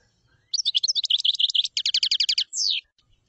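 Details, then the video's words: A single common chaffinch song phrase: quick opening notes lead into a descending series of evenly spaced sharp notes, a faster trill, and a drawn-out falling end note. "تغريد تبلاط"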